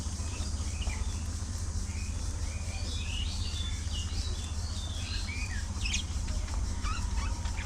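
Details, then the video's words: A colony of social budgerigars chattering continuously, scattered short whistled chirps and warbles from several birds, with a brief sharp note near six seconds over a constant low hum. "Budgie Parrot Colony! A Colorful & Chirpy Paradise!"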